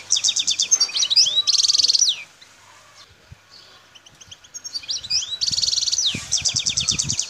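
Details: Wild parva goldfinch recorded in the El Tarf region of Algeria at Bouthelja, giving repeated buzzy trills and tinkling twitter phrases, with a quieter pause between the two bursts.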